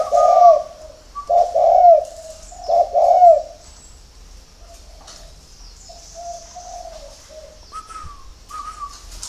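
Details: Spotted dove cooing at dawn on a bird farm in Ba Vì, Hanoi, Vietnam: three strong rolling coos in the first few seconds, then soft, fading low notes and faint higher hums.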